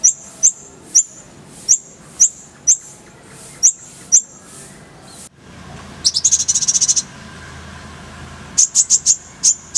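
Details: Oriental white-eye tutoring song: a series of high, thin chirps about every half second, a short break, then a dense, ringing trill burst and a few final chirps.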